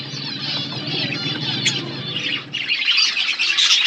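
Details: Budgies relaxing, dense high warbling chatter over a low steady hum, with a short dip midway before the chirping resumes.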